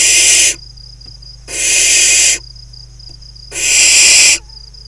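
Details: Young barn owls in a farmland nest box in the Hula Valley of northern Israel, summer, five nestlings playing together; three harsh screeching hisses roughly a second long, spaced about a second apart, with a thin constant whine underneath.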